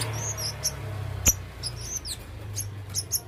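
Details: Red-throated male blue-crowned hanging parrot in full song, giving quick high-pitched squeaky chirps and short downslurred notes in a rapid scattered series, with a low hum beneath.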